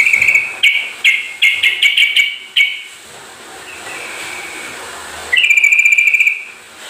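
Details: Lure recording of Sooty-headed bulbul song meant to make a bird that has stopped singing call back: a quick series of five or six bubbly trilled phrases, a hissy pause, then one more trilled burst.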